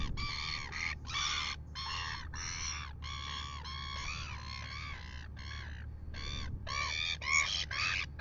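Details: Red-billed gulls harassing a royal albatross at 6:27 AM, Dunedin, New Zealand, filmed by a live camera: strident grating screeches repeated nearly twice a second in uneven bursts, with a constant low hum behind.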